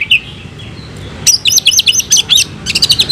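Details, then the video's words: Caged kacer, or oriental magpie-robin, fighting song: soft whistle at first, then loud rapid series of sharp high chips in rhythmic bursts, roughly eight per second. "Kacer gacor tarung bongkar isian"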